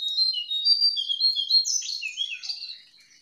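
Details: Jongkangan singing in the wild for luring a quiet caged bird: a fast, bright, high-pitched twittering chatter of swooping notes that trails off at the end.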